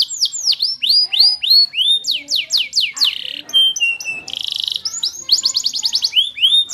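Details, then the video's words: Canary song with loud arching sweeps, a buzzy burst, flat whistles and a rapid trill near the end, richly varied phrases. "your canary will sing after seeing the maximum handsome canary"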